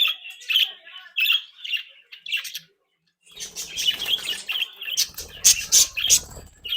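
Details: Happy pet budgerigars from a home breeding flock warble in soft repeated chirps, pause, then break into busier overlapping chatter with harsh squawks and rustling wing and cage noise.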